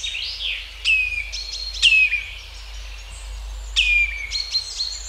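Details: Common redshank flying over woodland giving flight calls: three loud, clear whistled notes that slide downward, spaced about one to two seconds apart, over a steady background chorus of other songbirds.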